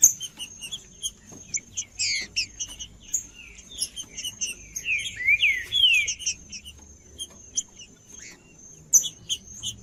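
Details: Trinca-ferro, the green-winged saltator, gives a short run of loud whistled phrases, including two sharp downward slurs near the end, over dense high-pitched chirping and tweeting from other birds and a constant faint high whine.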